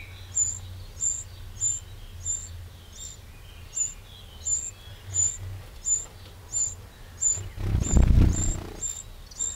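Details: Eurasian wren in a garden in the Châtillonnais, Burgundy, France, on 31 May 2023: sharp high ticking notes repeated about every half second against a low rumbling background, with a louder burst of noise near the end.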